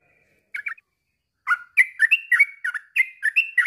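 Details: Yellow-vented bulbul, used to encourage silent birds to join in: two short chirps, a pause, then a rolling series of gurgling, warbled notes.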